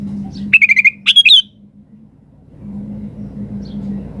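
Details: Sooty-headed bulbul delivering two quick bursts of bubbling whistled notes, the first a string of even notes, the second higher and warbling, then quiet with a background hum.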